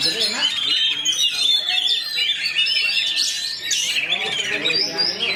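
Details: Fast, unbroken white-rumped shama song, a busy run of high twittering, squeaky and harsh notes with quick rising and falling whistles, packed densely with no pauses.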